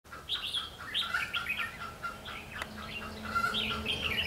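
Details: Red-whiskered bulbul, a decoy bird used in trapping on 21 March 2016, singing a challenge: quick bright warbled and whistled phrases, repeated in short bursts, with a faint steady low hum beneath.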